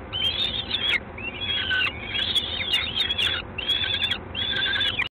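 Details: Peregrine falcon at LOTOS in Gdańsk, 3 June 2016, 19:47, gives five harsh, slurred calls in quick succession, each about half a second to a second long, with a steady low mechanical hum beneath.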